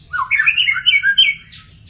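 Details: Magpie-robin in the wild gives a fast, tumbling phrase of bright whistled notes, rising and dipping in quick succession with a few sharp squeaky accents, loud and close.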